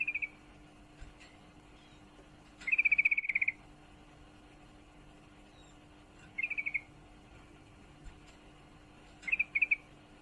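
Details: Sooty-headed bulbul female in breeding condition calling for a male, giving four rapid chattering bursts of short high chips, the longest about a second with a dozen notes, separated by gaps of several seconds; low hum underneath.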